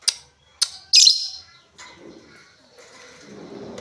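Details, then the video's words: Lovebird with three sharp high chirps in the first second, the last one louder and harsher, then faint low rustling and murmuring. "LOVEBIRD NGETIK NGOEK LANJUT NGEKEK"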